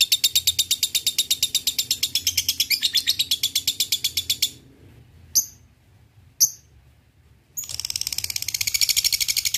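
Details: Lovebird ngekek song used as a lure to provoke rivals: a long rapid high chatter of buzzy notes, a pause with two lone chips, then the fast chatter resuming.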